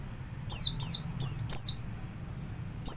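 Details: Caged Javan white-eye performing ngalas song as a lure for other white-eyes: a quick burst of four shrill falling slurs, a pause, then a softer note and one more loud descending whistle.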